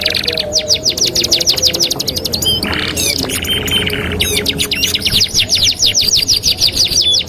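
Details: Canary song used as a master recording for training canaries: rapid trills of bright high notes, a sweep or two, and buzzy rolls. A steady low hum sits underneath throughout.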